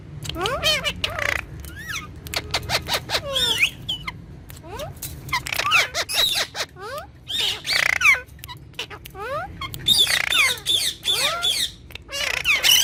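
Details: Domestic green ringneck talking parrot chatters in a long, irregular series of sharp clicks, short squawks and quick downward slides, denser and louder toward the end.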